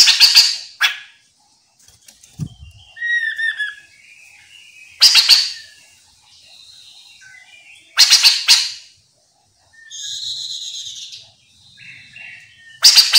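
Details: Chestnut-capped laughingthrush singing actively, used as a lure for other birds to answer; loud harsh rattling bursts recur every three to four seconds, separated by warbled chirps, sliding whistles and a nasal buzzing phrase.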